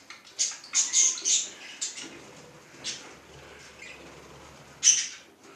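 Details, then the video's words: Budgerigar producing scratchy, high-pitched chattering bursts, several close together at the start, then a single sharp burst near the end after a quieter stretch. "Попугайчик волнистый"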